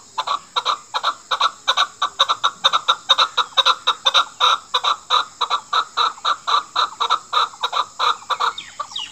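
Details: Chukar partridge, Pakistan's national bird, used as a hunter's call: a loud, steady series of harsh chuck notes, about three per second, rapidly repeated throughout with no other sounds.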